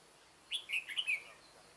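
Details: Red-whiskered bulbul decoy bird, set out on 9 September 2017 to lure wild birds into a trap, gives a single brisk phrase of about five bright, slurred whistled notes.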